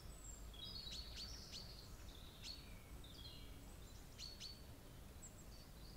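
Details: Bramblings visiting a bird feeder, 25 March 2022: scattered high whistles and short falling notes, with clusters of sharp clicking chips near the start and again later, over a low steady hum.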